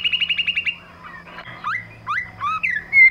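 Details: Female white-rumped shama calling, used as a lure recording to excite other shamas: a quick run of about eight sharp, evenly spaced chips, then scattered rising and falling whistled slurs ending in a loud bright note.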